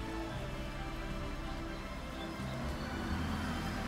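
Steady low rumble of music and passing traffic, with no animal calls.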